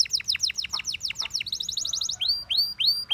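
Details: Dancing canary song made of quick downward-sweeping whistled notes repeated in fast series, then a tight rolling trill and several rising upswept whistles.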